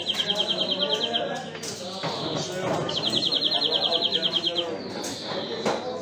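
A European greenfinch sings two rapid, even trills, then a drawn-out nasal wheeze, over a murmur of background noise.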